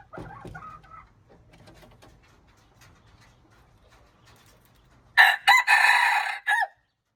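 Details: Junglefowl crowing, March 19, 2025. After a soft, faint call and a long quiet stretch, a loud, harsh, broken crow of several clipped bursts ends abruptly at the close.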